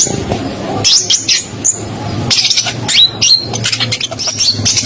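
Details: Spotted konin, an Indonesian songbird, recorded as a master tutor for other birds: loud sharp whistled shots and rapid high chattering runs, with bursts of sweeping upslurred notes, over a low steady hum.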